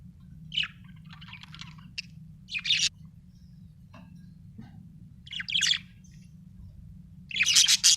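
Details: Budgerigar chirping: scattered bursts of sharp, high, scratchy chirps with quiet gaps between them, ending in a denser, louder chattering run. A steady low hum sits underneath throughout.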